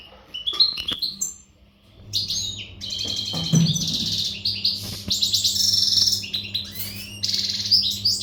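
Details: Untutored European goldfinch in readiness condition sings a long, varied, energetic song: scattered chirps, then sustained buzzy twittering with whistled slurs and tinkling trills, over a continuous low hum.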